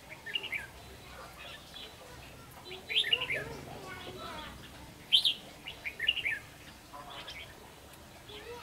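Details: Red-whiskered bulbul at a trap set with a decoy bird, delivering lively slurred whistled phrases, rising then falling, in bursts about every second or two over a soft noisy background.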